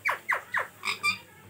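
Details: Pet ringneck parrot (rose-ringed parakeet), kept as a talking and dancing bird: three quick, harsh, downward-sliding screeches about a quarter second apart, then two shorter, buzzier notes. A low hum sits underneath.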